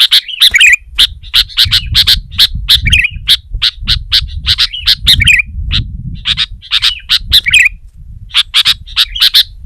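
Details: Sooty-headed bulbul in full song against a rival: dense run of sharp chirps and bubbly slurred phrases, nearly continuous, with a low muffled rumble underneath.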